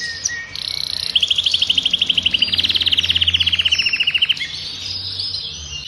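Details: Adult male Belgian canary of the Agatha breed, intense yellow, singing to warm up a female for breeding and to train young: a rapid, even, rolling trill dropping slightly in pitch over about three seconds, after bright chirps.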